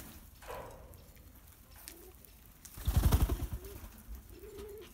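A ringneck dove gives low, soft coos, with a throaty rolling burst in the middle and a drawn-out hum at the end, against a quiet indoor background.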